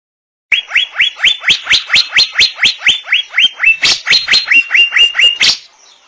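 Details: Asian fairy-bluebird singing a fast, steady run of about twenty upswept whistled notes, roughly two per second, each sliding up and levelling into a high clear tone, with crisp clicks at each note start.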